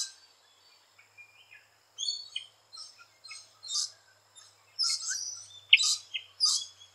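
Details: Sparse, scattered squeaks and harsh screeches come from rainbow lorikeets around nesting holes in Australia, getting louder and more frequent toward the end, with a faint low hum underneath.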